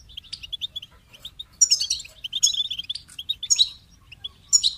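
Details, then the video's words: Goldfinch opening with a string of evenly spaced soft chips, then bursting into a dense, tinkling, buzzy warble. The song fades and resumes. "Amplifying the Goldfinch's Voice"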